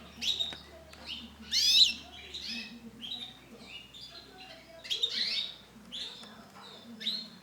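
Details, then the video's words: Brown female canary calling with sharp chirps and upward sweeping notes, grouped in bursts about every one to two seconds, the loudest near the start and after five seconds; faint low hum and background rustle. "CANARY BETINA WARNA COKLAT"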